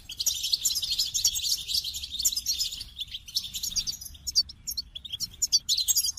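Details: Extended goldfinch song, a bubbling stream of high twitters and buzzy trills that turns into separate sharp, clicking chirps toward the end; faint low rumble behind.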